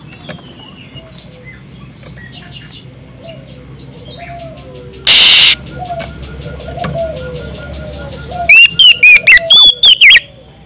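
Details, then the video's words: Oriental magpie-robin calling a rival with a strong, open voice. Softer chirps from other birds and a sudden loud crackle come first, then a brisk series of about seven sharp, bright whistled notes. "suara burung kacer gacor ngeplong memanggil lawan"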